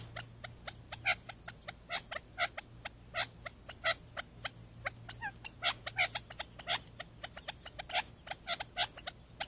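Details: Trail camera in Tucson, Arizona: a male Gambel's quail hidden in chaparral near a watering hole keeps up an alarm against a Cooper's hawk, a long run of crisp ticking notes, some doubled, coming fast and unevenly over a faint hum.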